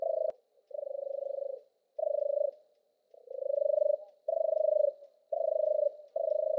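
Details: European turtle dove song: low, soft purring notes, each a rapid pulsed trill under a second long at a steady pitch, about seven in a row with uneven short pauses; no other sounds.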